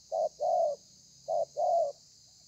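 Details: Spotted dove singing the thổ pha cooing style, recorded 30 November 2020: two paired cooing phrases, each a short low note then a longer drawn-out coo, with a steady high electrical hiss behind.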